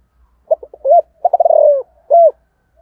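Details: Spotted dove in the morning, 'giọng thổ' calling to wild doves. A single close phrase: staccato low notes, a long trembling purr falling slightly in pitch, then one smooth closing coo.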